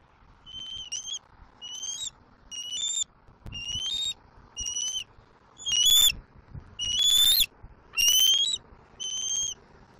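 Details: Juvenile bald eagle at a Southwest Florida nest, 7 April 2024, squeeing nonstop as it flies in, mantles and claims a whole fish delivered by its father. About nine high, thin whistled squeals with an upward kink come roughly every second.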